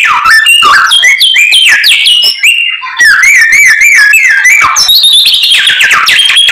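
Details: White-rumped shama singing tirelessly, its song packed with learned isian phrases: rapid varied whistles, rising and falling slurs and sharp notes in a dense stream, with a brief dip near three seconds.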